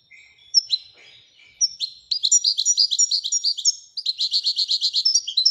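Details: A few soft, scattered chirps from a royal goldfinch build into a dense, evenly pulsed twittering song that runs to the end.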